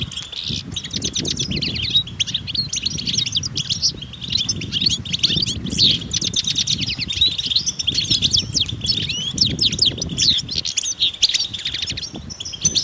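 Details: Continuous chorus of European goldfinches in a natural setting, mating and readiness calls used to stimulate males: thick layers of sharp chirps and twittering trills from many birds, low wind-like rumble throughout.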